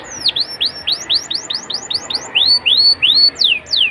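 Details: Young-canary lure song from a canary: repeated high down-slurred and upturned whistles, about three per second, some notes drawn out and rising near the end, with a faint steady hum beneath.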